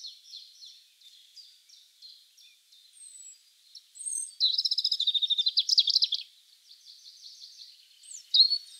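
European Robin singing: soft, high, thin notes build into a bright, rapid rattling trill midway, then wistful varied phrases with a sharp high flourish at the end.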